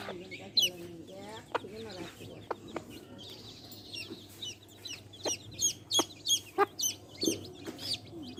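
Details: Hen with baby chicks: a soft, buzzy hen murmur and a few low clucks at first, then chicks peeping in sharp, high, down-slurred notes, about one or two a second.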